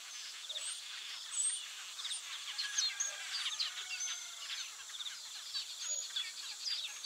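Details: Taveta golden weaver giving dense, busy chatter: many short, high, scratchy and buzzy notes overlapping without pause, with a few thin whistled strokes, over a constant high hiss.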